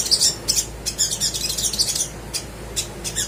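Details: Lively crimson sunbird song used to stir lazy birds into singing: quick, high, sweet chirps and sharp pips in a tumbling series that slows toward the end.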